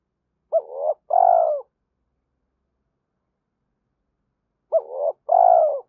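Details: Spotted dove coo used to rouse other doves: a two-part phrase of a quick rising note and a long husky coo, repeated once about four seconds later in silence.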